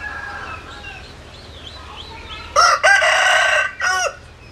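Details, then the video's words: Rooster crowing loudly at close range: a harsh, multi-part cock-a-doodle-doo with a stuttering start and a falling end, while fainter crows from other roosters sound in the background. "Tiếng Gà Gáy Hay Nhất 2021"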